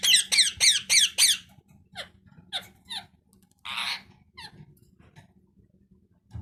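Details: Parrot: a quick series of five shrill, squeaky, harmonic-rich calls, followed by softer scattered squeaks and one rough, raspy note in a quiet room.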